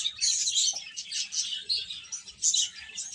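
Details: Chicks chirping in a dense, continuous chorus of high, thin peeps that overlap without pause.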